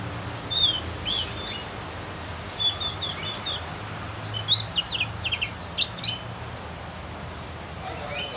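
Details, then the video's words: Javan Grey-throated White-eye learning its song: scattered high twittering notes and short whistled slurs, bunched in loose bursts over several seconds, with faint background noise. "OPIOR JAWA atau CUCAK GENTONG BLAJAR BUNYI"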